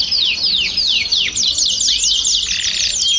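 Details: A flock of domestic canaries (canários do reino) singing together to stimulate other birds to sing: overlapping high, rapid descending whistled sweeps and buzzy trills, with one rising note near the end.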